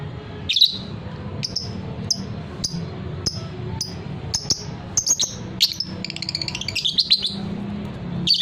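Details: Fighter-type lovebird in a training recording meant to make birds sing: sharp, high chirps spaced about half a second to a second apart, then a denser rapid chattering run near the end, over a steady low hum.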